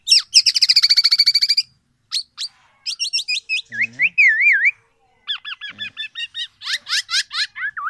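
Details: A tame black-naped oriole gives a loud, lively, varied burst: a fast high trill, then clear fluty whistles, wavering slurred notes and a brief harsh nasal phrase.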